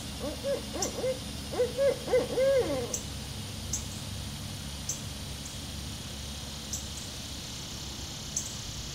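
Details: Two barred owls give a rapid series of rising-and-falling hoots, arched and slightly wavering, over the first three seconds; soft ticking insects continue afterward.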